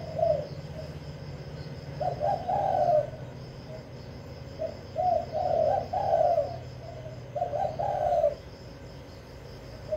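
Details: Spotted dove used as a caged lure bird in Vĩnh Long, Vietnam, croons in mellow multi-note phrases separated by short pauses, with a faint low drone underneath.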